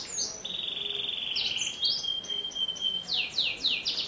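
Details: Prolific singing canary, used to encourage young canaries to sing, starts with a sweeping whistle, holds a long steady pure tone, then shifts to short chirps and a series of quick falling downslurred notes.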